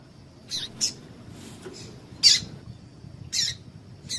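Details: A female coleiro tui tui gives a call used to excite males: a handful of crisp, high chip notes spaced irregularly, some doubled, over a soft room hum.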